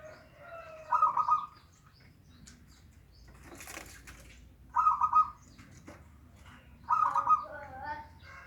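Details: Local zebra dove, recorded as a lure to make a reluctant dove sing: three short rippling coo phrases a few seconds apart, with a burst of wing flapping or rustling in between.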